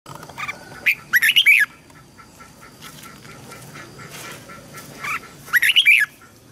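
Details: Red-whiskered bulbul tutor song, used to help young birds learn to sing and to spur newly caught birds into song: two bright, bubbly phrases of quick warbled notes, the second coming about four seconds after the first, with quiet between.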